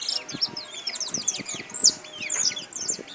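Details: A caller European goldfinch sings a rapid, tinkling twitter of high, liquid notes and quick slurred chirps, with soft low thumps underneath.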